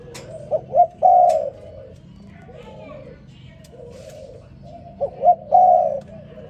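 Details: Morning call of a spotted dove: two phrases of soft, low cooing, a pair of brief upswept notes then a longer sustained coo, with quieter murmuring coos between them and faint background noise.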